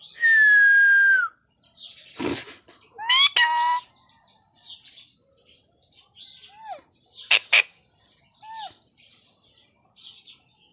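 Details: Indian parrot kept as an uncaged family pet, talking: a loud, drawn-out falling whistle, then harsh rasping squawks and a short run of speech-like tonal notes, with soft chirps and clicks between.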